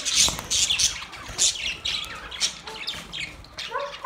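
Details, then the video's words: Budgerigar mating chatter: bursts of sharp, high chirps and squeaky warbled notes come in rapid clusters, with short gaps and a few lower whistled squeaks near the end. "Parrot mating sound"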